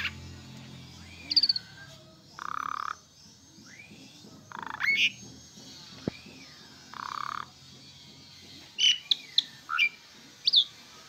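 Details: Asian pied starling in song: scattered whistled upsweeps and buzzy harsh bursts separated by pauses, with a low steady hum underneath.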